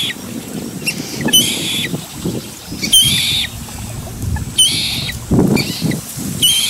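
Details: Two fairly well-grown young common moorhens calling eagerly for their parents as they move a little away from their nest; four high, slightly hoarse peeping calls about every one and a half seconds over low rumbling background noise.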